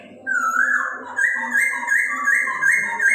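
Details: Chinese hwamei singing to arouse breeding urge in other birds: a long clear whistle falling then rising, followed by a run of rapidly repeated bright whistled notes, over a faint low hum.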